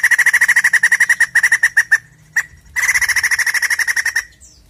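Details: White-crested laughingthrush song used to prompt a caged bird to sing: rapid, loud, evenly repeated notes in a long rattling series, a short pause, then a second fast run of bright repeated notes.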